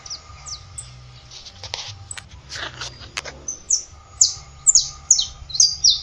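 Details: Saffron finch song of high, clipped, down-slurred chirps that grows into a steady series of emphatic notes roughly twice a second, with a low rumbling background and a faint tonal hum.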